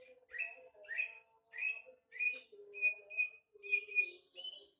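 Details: Caged female greater green leafbird singing clear whistles: several slurred notes, then level, steady whistled tones repeated about every half second, with quiet lower warbling beneath.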